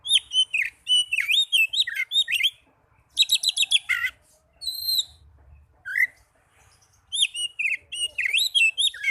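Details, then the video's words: Oriental magpie-robin song meant to stir lazy caged birds into singing: fast bursts of loud, varied whistles and trills, a pause, a clear double whistle, then another dense rush of bright notes; faint low rumble behind. "Pancingan burung kacer agar cepat gacor"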